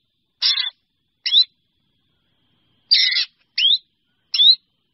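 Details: Drongo calling the flock, alternating harsh rasping notes with quick upslurred whistles, five calls in two bursts separated by a short pause, no other sounds.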